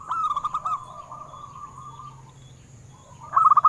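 A zebra dove gives soft, rapid trilled coos, then a drawn-out murmuring note, and ends with another quick burst of trilled cooing. A faint steady high hiss runs underneath.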